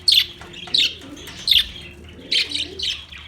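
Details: Budgerigars recorded 9 March 2024 uttering five loud, scratchy chirps, irregularly spaced about half a second apart, against a quiet background.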